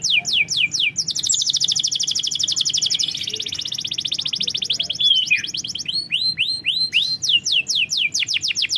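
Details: Canary song used as a lure to get a reluctant canary to sing: fast runs of high downward-sweeping notes, then a long dense buzzy trill, ending in repeated rising-falling whistled notes.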